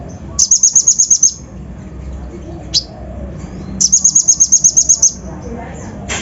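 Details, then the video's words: Lure song of a kolibri ninja sunbird, rough full mimicry to excite other birds: two fast high trills of about eight and ten notes, separated by a single sharp chirp, over faint low background noise. "PANCINGAN KONIN BAHAN FULL ISIAN KASAR COCOK UNTUK MENAIKAN EMOSI BURUNG BAHAN"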